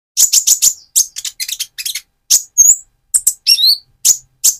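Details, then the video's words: Lively song of a speckled Van Hasselt's sunbird, played to excite and challenge another sunbird: rapid series of piercing high chips, twittery runs and a few slurred whistled notes, with no other sounds. "Burung Konin trotol gacor untuk pancingan menaikan mental emosi kolibri ninja"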